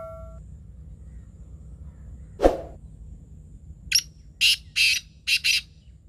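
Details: Black francolin call: harsh, grating notes, with one rasping burst, then a quick run of five scratchy notes about half a second apart, over a low background hum.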